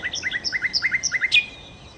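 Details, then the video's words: Nightingale, known locally as sikatan londo, giving a brisk series of paired short whistled notes, evenly spaced about five to a second, ending in a louder sharp note and a fading thin whistle. "kicau Sikata Londo( Nightingale Birds )"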